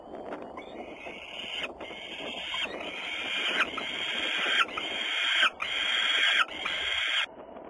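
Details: Peregrine falcon calling in Włocławec, Poland, on 6 June 2010, afternoon: a regular series of about six hoarse, screechy calls, each roughly a second long, growing louder.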